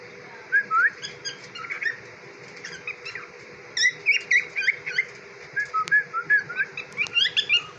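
A cockatiel gives bursts of short whistled chirps and squeaky notes, some rising, in quick irregular series.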